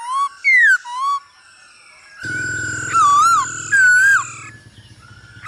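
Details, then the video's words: Male hwamei with female calls, a recording for teaching birds to sing: two quick whistled phrases, then wavering, swooping whistles over a low buzzing hum. "Khướu trống hót múa cực đỉnh kèm tiếng mái ro kích quá hay"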